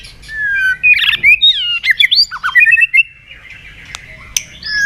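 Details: White-rumped shama song recorded as a lure for stalled caged shamas, with sharp fill-in phrases: a long whistle, a harsh burst, then clipped varied notes, a rapid trill and a final rising whistle.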